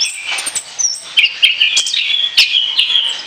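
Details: Orange-headed thrush song for use as a lure: softer opening twitter, then a bright, sustained warbling phrase of high whistled notes with sharp clicks mixed in.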